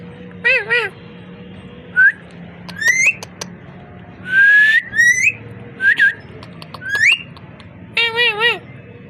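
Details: A parrot runs through varied whistles: wavering harmonic notes, quick rising slurs and a longer sweeping whistle, spaced irregularly over about nine seconds above a low hum.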